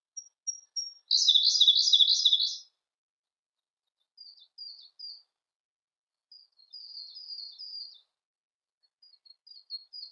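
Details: Siberian blue robin song: a few thin introductory whistles, then a loud, rapid rattling trill, followed by softer, high twittering phrases.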